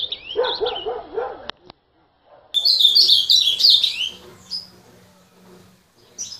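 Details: A low human voice comes first, then an azulão bursts into a dense, loud, high warble of rapid twittering notes, followed by a few separate thin whistles.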